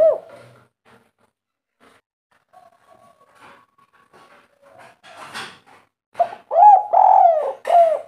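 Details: Local spotted dove, kuk 3 song type, sweet-voiced. Mostly quiet at first with soft knocks, faint tones and a rustling burst, then four loud, deep, bowed coos close together at the end.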